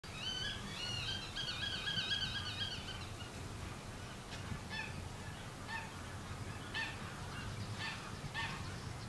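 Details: Common Redshank (Tringa totanus totanus), Uitkerkse Polder, Belgium, May 2016. A rapid run of wavering, piping notes lasts about three seconds, then fainter scattered calls over a steady low wind rumble.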